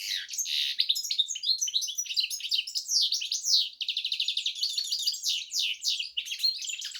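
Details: Goldfinch crossed with canary delivering unbroken, energetic song: high twitters, down-slurred whistles and a fast rattling trill mid-phrase, all clearly in the foreground.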